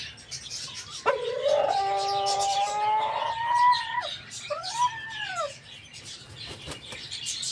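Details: Rooster crowing loudly in the morning: a long harmonic crow that rises and holds for about three seconds, then a shorter arched phrase, with dense high chirping of small birds throughout.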